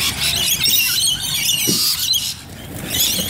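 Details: Rainbow lorikeets in Bonnyrigg produce shrill, grating squeals and chatter. The din eases briefly near the end, then picks up again.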